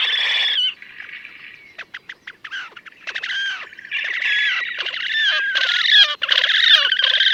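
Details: Wild Slavonian grebe in May 2024 at Gavieze, Latvia: loud nasal squealing calls with a long held note, then a quick series of short clipped notes building into rapid harmonic trilling chatter.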